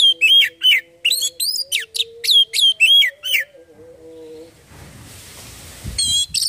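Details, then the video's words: Oriental magpie-robin (Kacer) song for prompting other birds to sing: evenly spaced, clear whistled notes, many curving downward, repeated about three per second over a low steady hum, then a burst of rough noise and a few final notes. "Burung Kacer langsung bunyi dengar ini"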